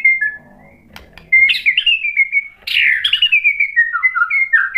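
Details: White-rumped shama song meant to provoke another bird into singing: short sweet whistles, then loud clear notes sliding downward in a cascading series of slurred phrases.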